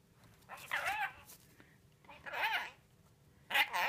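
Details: A pet scaly-breasted lorikeet known for talking, swearing and siren imitations speaks in three raspy, speech-like bursts, each under a second, wavering in pitch, with soft room noise between.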